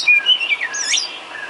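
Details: White-rumped shama singing filler song used for training cage birds: a rich, loud phrase of varied whistles, sliding up and down and swooping into a looping high note, over a steady background hiss.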